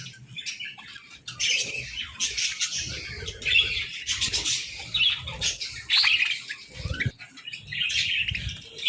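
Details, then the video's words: Morning chirping of several budgerigars, with irregular bursts of high, grating chatter and squeaky tweets, interrupted by soft thumps and flutter-like rustles of wings and movement. "Chirpy Mornings with Budgies!"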